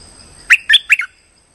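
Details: Streak-eared bulbul lure call used for trapping birds: three quick, harsh chirping notes in under a second, each sweeping down, with a steady high background tone.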